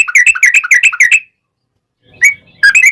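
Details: Sooty-headed bulbul in lively ropel song, played as a lure to prompt other bulbuls to reply: a rapid, tumbling string of warbled notes for over a second, silence, then a single note and a renewed bubbly burst.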